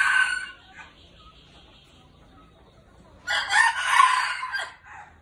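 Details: A decoy red junglefowl with golden feathers ends one harsh crow at the start. After a quiet stretch it delivers another strong, grating crow lasting about a second and a half.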